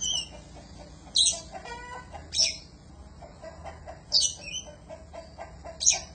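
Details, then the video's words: Oriental magpie-robin, recorded to train songbirds, giving loud rasping buzzy notes about every second or two, separated by softer ticking and short whistled sounds. "Suara panjingan masteran burung kacer gacor"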